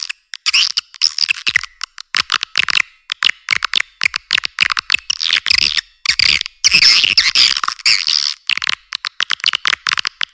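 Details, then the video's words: Natural swiftlet calls as a dense run of sharp, high chirps and twittering bursts, closely packed with brief silent gaps, steady in loudness throughout; no low sounds at all. "Suara burung walet asli alam"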